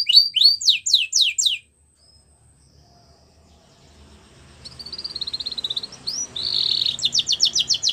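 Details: Canary song for training young canaries: several falling whistled notes at the start, then a silent gap, then a soft rolling trill building into a loud buzzy tour and rapid repeated notes, over faint low background noise.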